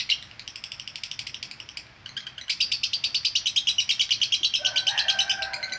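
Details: Female lovebird giving konslet chatter for training, a rapid run of harsh, buzzy chirps, quieter at first, then louder and denser from about two and a half seconds, with a lower tone joining near the end.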